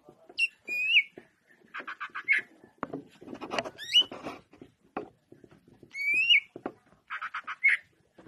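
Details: Greater green leafbird singing loud whistled upslurs and bursts of rattling notes, interspersed with scattered clicks and knocks in the background.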